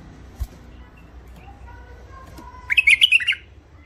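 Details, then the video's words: After a quiet stretch with a faint tick, a hybrid finch (mule), said to be wild, Alwazi type, thick-throated, in its first isolation, gives a brief rapid phrase of five or six sharp, twittering notes. "مخلف وحشي علوازي أول عزله حنجره ثخينه"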